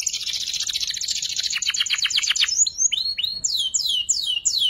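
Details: Immature canary learning its song, used to tutor fighter songbirds; a dense buzzy trill slowing into separate pulses, followed by loud downslurred sweeping whistles in quick succession.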